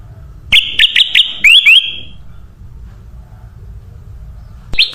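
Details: Bird-luring recording of a sooty-headed bulbul: a brief run of sharp, ringing notes ending in two quick rising slurs, then a long quiet gap before a single note returns at the very end.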